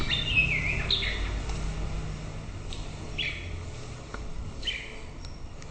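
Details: White-rumped shama heard in the morning, a couple of quick whistled slurs opening, then sparse single whistled phrases spaced over several seconds against low background noise.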